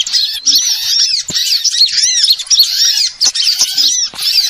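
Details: Lure recording of small birds for bird trapping, packed with overlapping high squeaky chirps and arched whistled notes that rise and fall quickly, nearly continuous over a few seconds with brief dips.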